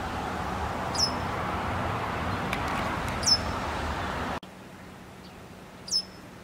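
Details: Japanese wagtail with a big caterpillar held in its bill for tens of minutes, giving three piercing high 'piip' calls spaced a second or two apart, with a low hum and a sudden drop in background noise midway.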